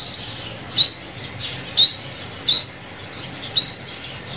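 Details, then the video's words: Sunbird call used as a lure for trapping birds: short rising high-pitched whistled notes, each sweeping upward, repeated roughly once a second over a faint low hum. "Tiếng Chim Hút Mật Mồi Kích Bổi"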